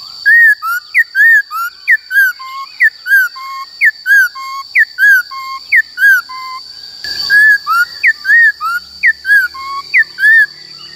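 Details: Caged Black-throated laughingthrush performing its forest-voice song, used to train young birds: long continuous sequence of bright, looping whistled notes alternating high and low in a steady rhythm, with a brief crackle midway and a constant background hum.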